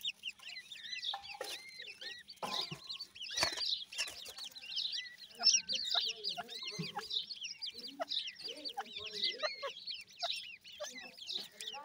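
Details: Grey francolin chicks calling: a dense chorus of high, thin, arched peeps overlapping continuously, with scattered sharp clicks and a few lower notes in between.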